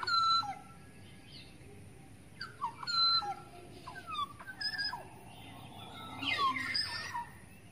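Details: Lure call of a wild black-naped oriole from forest: clear, level whistles followed by short downward slurs, repeated in spaced phrases, ending with a louder tangle of harsh, buzzy notes near six and a half seconds.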